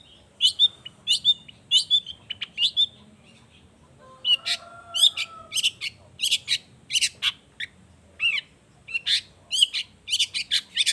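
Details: Long-tailed shrike singing vigorously as a lure for other shrikes: rapid runs of short, high, sharp chirps in rhythmic clusters, with a brief low whistled background tone midway.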